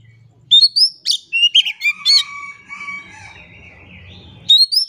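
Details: Oriental magpie-robin in full song as a lure for reluctant singers: sharp upslurred whistles and buzzy chips, a drawn-out thin whistled tone, then a fresh burst of rising notes over a faint low hum.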